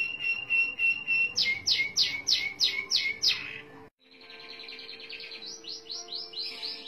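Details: One-breath roll by a Merlok canary: a flat buzzy trill shifting into strong descending sweeps, a short gap, then a rising run of quick high notes.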